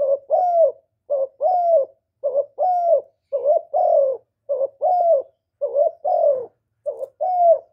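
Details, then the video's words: Spotted dove giving repeated calls and coos, recorded without background noise to spur kept doves into calling; seven steady paired coos, a short lead note then a longer falling one, roughly once a second. "Cu gáy Hạp Bổi Gáy Gọi + Gù + Thúc + kèm kích bổi, chim cu đất gáy, cu cườm gáy, tiếng chim cu"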